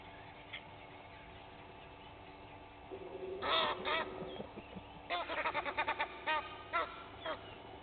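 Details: Egyptian geese, two families fighting at Gowrie dam, Djuma Game Reserve, Sabi Sand, South Africa, at dawn; after quiet, loud harsh honking bursts erupt, then a rapid run of repeated nasal honks with brief pauses.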